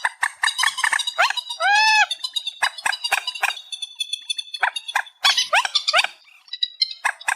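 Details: Reed warbler song in an amplified version, described as a night bird sound: harsh, croaky repeated notes and chattering bursts, with one drawn-out arched harmonic phrase near the middle and short pauses between phrases.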